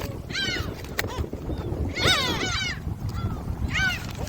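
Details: Gulls at Jebudo, Korea, fed shrimp snacks, giving sharp arched yelps in three clusters about every second and a half, over a constant low background rumble.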